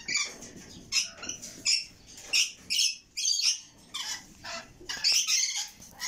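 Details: Red lory chicks calling in a rapid string of harsh, wheezy squawks, each a brief noisy burst, repeated about twice a second.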